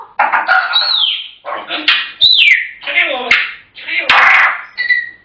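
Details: African grey parrots talking in quick speech-like phrases broken by gliding whistles and short squawks, with a few sharp clicks between phrases.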